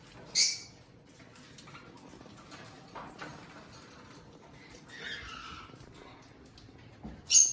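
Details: Pet eastern rosella, one of a pair filmed up close, with a brief piercing squawk at the start and another at the very end, separated by quiet rustles and soft noises.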